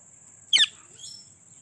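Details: Several talking pet parrots at home; one short, loud, grating squawk, then a softer trailing chirp, with a constant high-pitched whine in the background.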